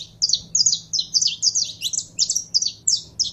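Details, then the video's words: Kept saffron finch warming up, delivering a quick run of high sharp chirped notes, roughly three per second, in a steady chattering string with a faint hum underneath. "Canário da Terra Esquentando em 3 2 1!!!"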